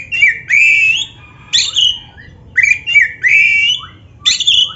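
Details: Oriental magpie-robin (black-breasted) tutor song for caged birds: long, rich whistles that rise and hold at a high pitch, in four phrases separated by short silences, with soft twittered grace notes.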